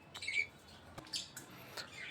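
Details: Pet lovebirds in a breeding colony kept indoors, giving short shrill squawks; one harsh note early, then scattered sharp clicks and brief high calls over quiet room noise.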